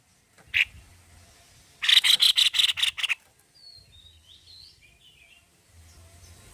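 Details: White-necked babbler singing heavily: one sharp note, then about eight loud raspy pulses in quick succession, followed by faint thin squeaky notes. Low hum in the background.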